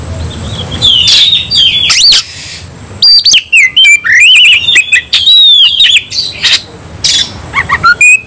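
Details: Oriental magpie-robin singing aggressively in fighting mode: loud bursts of harsh broadband chatter alternate with clear rising and falling whistles, separated by short silent gaps, with a faint low hum underneath.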